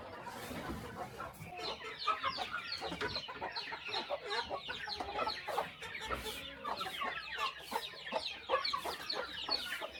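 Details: Chickens at morning feeding on a small countryside farm; rapid overlapping clucks from a crowd of birds, rising in density after the first second, with scattered pecking taps.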